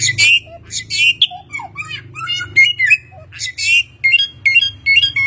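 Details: Chinese hwamei, a skilled imitator of many sounds, singing a fast mix of scratchy bursts, short slurred whistles and chirps, ending in crisp notes repeated in quick succession over a constant low background hum.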